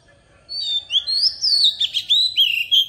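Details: Forest-voice song of a decoy Oriental magpie-robin for tutoring young birds: rising and falling clear whistles followed by a rhythmic series of short, emphatic chirps roughly every quarter second.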